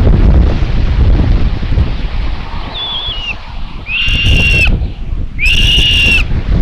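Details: On 27 May 2022 at a Tiszalök, Hungary buzzard nest, common buzzard chicks beg as the mother brings lunch; a thin wavering whistle, then two loud, long, rasping calls, all over heavy wind and rustling.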